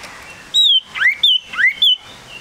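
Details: Tame, lively male common iora alternates loud, clear, falling whistles with rising slurred notes, in about three paired phrases over two and a half seconds.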